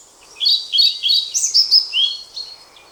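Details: Song of a European pied flycatcher: one loud, fast phrase of sweet high whistled notes rising and falling, about two seconds long, with quiet steady background hiss.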